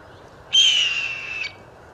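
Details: Blue Jay imitating a hawk: one loud, raspy, slightly falling scream lasting about a second, close to a Red-tailed or Red-shouldered Hawk, with faint woodpeckers and crows in the background.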